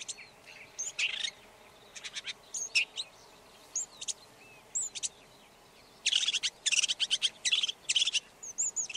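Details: Red-backed shrike singing a rambling, scratchy warble, with scattered single clicks and thin whistles building into dense rattling bursts of rapid notes near the end.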